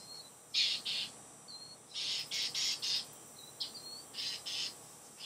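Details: Northern mockingbirds give harsh, raspy chack notes in quick irregular bursts, several per second at times, while fighting and mobbing a Great Horned Owl in July 2015; the owl seems unconcerned but gets annoyed. Faint thin whistles sound between the chacks.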